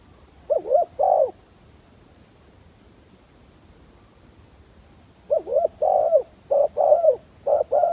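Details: Spotted dove working as a decoy to draw in wild birds. One burst of hollow, wavering coos, then about four seconds of quiet, then a run of paired low coos.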